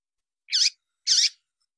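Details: Female Double-collared Seedeater uttering male-like calls used to prompt captive males to sing; two rough, squeaky high notes about half a second apart, with silence around them.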